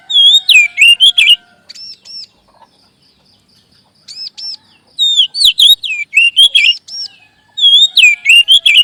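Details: Magpie robin singing as a lure to boost adult and juvenile birds: three bursts of quick, varied, sweet whistled notes swooping up and down, with soft high paired notes in the pauses between.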